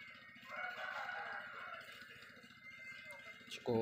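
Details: Large white-silver rooster among hens and pigeons at feed: a long crow in the first two seconds, then softer noise and a loud voice at the end.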